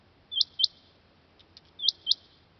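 A male Rain Quail gives sharp, high, metallic notes in quick pairs, 'which-which', repeated after about a second and a half, with faint softer notes between.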